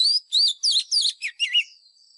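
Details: White-rumped shama lure bird in fighting song for training caged birds: a quick string of seven rich whistled notes, each swooping or wavering, the last ones lower and fading into a faint high hum.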